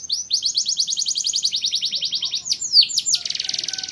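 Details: Canary song opening with a long steady trill of repeated whistled notes, several loud descending swoops, then a rapid buzzy rattle.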